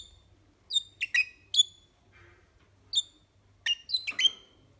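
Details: A pet Red-rumped parrot in Poland gives short, high chirruping notes with a whistled ring, in loose bursts of two or three over a few seconds, with little else heard.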